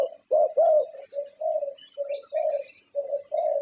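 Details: Zebra dove, a Thai champion competition perkutut judged on its distinctive voice: soft, low, rolling coos in a quick run of about nine notes, with faint high chirps of other small birds behind.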